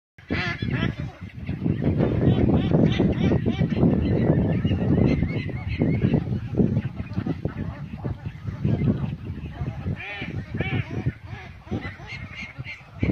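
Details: Healthy, active domestic ducklings on a farm, a dense chorus of many overlapping nasal, honking calls, rapid and irregular, about four per second, with heavy low rumbling and handling noise throughout.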